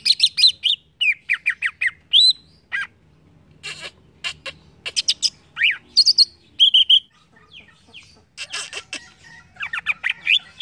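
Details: Green leafbird singing a lively, varied song of quick high chirps, sharp whistled notes and short trills, delivered in bursts separated by brief pauses, with some rapid buzzy rattles in the middle.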